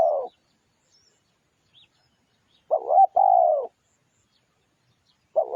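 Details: Cooing of a spotted dove used to lure birds: one full two-part phrase, a wavering short note then a sustained level coo, framed by fragments of neighbouring phrases and faint high chirps.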